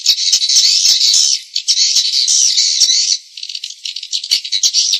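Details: Lure playback of swiftlets for attracting them to roost. Long stretches of rough buzzing chatter alternate with fast trains of clipped rattling chirps, about three per second, high-pitched and dense.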